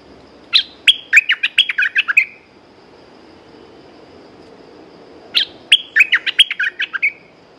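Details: Caged red-whiskered bulbul singing two bursts of rapid, bubbly whistled notes, each phrase opening with a sharp upslurred note then tumbling chirps over about one and a half seconds, a pause of three seconds between, faint background hum.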